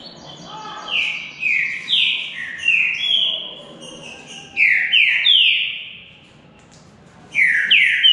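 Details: Green-winged saltator (bico-de-ferro, trinca-ferro relatives' local names given) in a two-bird singing contest: series of loud, descending whistled notes delivered about twice a second, repeated in bursts with short pauses between.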